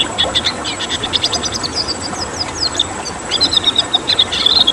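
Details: Red siskin twittering in tembakan style, with a quick chirping run, a series of downslurred notes and a final burst of sustained shrill whistles and trills.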